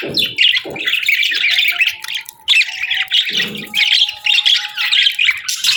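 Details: Budgerigars warbling and chirping in rapid scratchy phrases, a steady faint tone running beneath and a few low muffled knocks.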